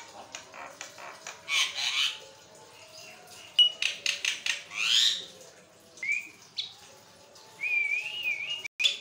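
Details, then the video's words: Javan myna (jalak kebo) in continuous training song; scattered harsh rasps and clicks with a few clear rising whistles and a warbled whistled phrase near the end. "jalak kebo ngoceh tanpa henti, buat masteran dan pancing bunyi"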